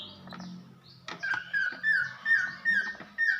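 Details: Female greater green leafbird from Banyuwangi calling to rouse a male: after a low-level start, a string of wavering whistled notes, each slurred slightly downward, repeated roughly every third of a second.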